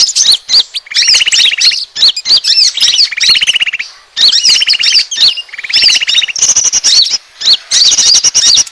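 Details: Lure call to attract birds, from an Asian glossy starling: repeated phrases of a pulsed, buzzy rattle followed by sharp rising and falling squeaks, about four cycles, with a thin steady whistle near the end.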